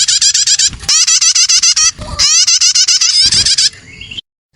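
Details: Young prinia calls used as a bird lure: fast chains of upslurred chirps, a slightly higher rising sequence toward the end, then sudden silence.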